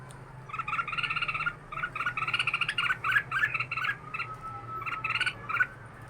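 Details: Red-whiskered bulbul held in a cage for two years, pouring out a fast, warbling chatter of rich chirps in near-continuous runs, ending with a few separate notes.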